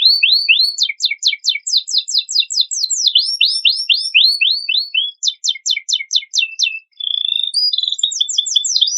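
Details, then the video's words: A canary's rich master song, meant to spur other birds to sing. It runs as rapid series of repeated down-slurred high notes, about four per second, switching between several note types. Whistled phrases close the passage. No other sounds are heard. "Kenari Isian Mewah Cocok Pancingan Bunyi Burung Bahanan"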